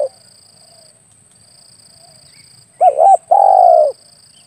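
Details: Spotted dove coo used as a hunting lure: after a quiet stretch, one phrase of a rapid double coo and a longer buzzy falling coo near the end; faint high tone throughout.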